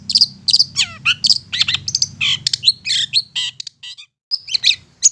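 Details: Long-tailed shrike singing an insistent provoking song: a jumble of harsh buzzy notes, descending whistles and high chips in fast succession, a short pause, then more sharp notes; low hum in the background.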